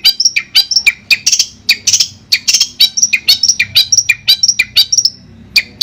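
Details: Long-tailed shrike singing, sound therapy for a shrike that has stopped singing: fast chattering phrases of sharp high notes and short whistles, varied and mimic-like, steady hum underneath.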